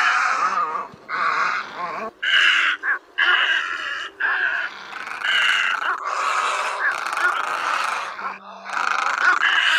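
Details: Great egret and other egret calls used to lure birds into night nets: rough, crow-like croaks repeated in bursts of roughly a second, at times overlapping into a dense chorus.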